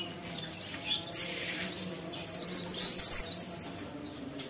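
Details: Cikrak daun, a leaf warbler, singing actively: scattered thin, high squeaks and a short rapid twittering run near the end of a quiet stretch, with soft background hum.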